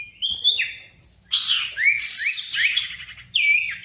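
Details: Ashy Tailorbird (sirtu) singing actively as a lure to make quiet birds sing: a level whistle, then dense harsh buzzy phrases mixed with quick upslurred notes, ending in a bright whistle.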